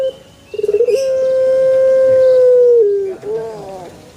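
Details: Pelung chicken crow with a brief stuttering lead-in of pulses swelling into a very long sustained note, held steady for about two seconds before dropping and ending in a short falling tail.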